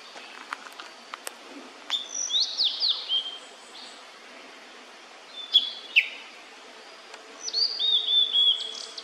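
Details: Juvenile Blue-and-white Flycatcher during a meal, giving three separate short phrases of high whistled, downward-slurred notes with long quiet gaps between them and a few faint clicks.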